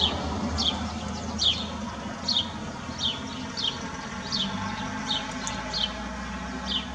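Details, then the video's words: A house sparrow, hand-tame and filmed close up in 2021, sings in short, bright chirps about one a second over a steady low background hum. "śpiew/dźwięk wróbla"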